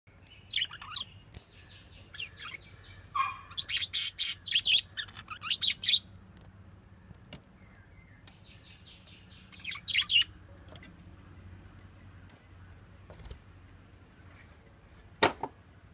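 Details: A yellow budgerigar gives bursts of bright, scratchy chirps and warbles, then falls quiet with a few soft notes.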